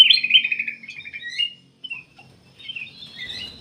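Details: Black-capped bulbul singing, used to lure other birds into song: a loud fast rattling whistled trill fading out, a pause, then softer warbled notes.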